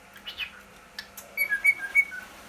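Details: Pet cockatiel hiding inside a playhouse: a few soft knocking taps, then a quick run of about five clear whistled notes that alternate between a higher and a slightly lower pitch, in a quiet indoor room.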